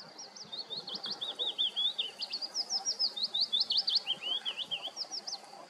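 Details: A willow warbler in a nature reserve sings a soft, sweet run of quick high notes that slides gently downward, then starts a second cadence, against quiet background hiss.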